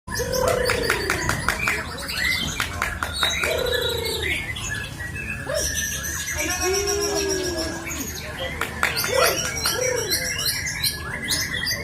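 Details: White-rumped shama (murai hutan), settled and in full song for its whole duration with long bursts: a continuous, varied run of rich whistled notes, downslurred slides, quick trills and harsh rattling phrases, delivered densely with hardly a pause.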